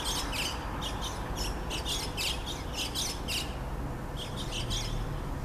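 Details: White-cheeked starling seen in the Minato Mirai district of Yokohama on 15 April 2014, giving harsh, grating chirps in quick bursts over steady low urban rumble.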